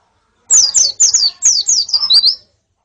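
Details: Female white-eye and colony calls for training a male's song: one brisk two-second burst of about eight thin, high, falling chirps ending in a slightly rising note.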